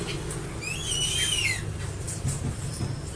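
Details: Crested eagle call, a drawn-out whistled note that arches up and then slides down in pitch, rich in overtones, lasting nearly a second before trailing off into low background noise and faint clicks.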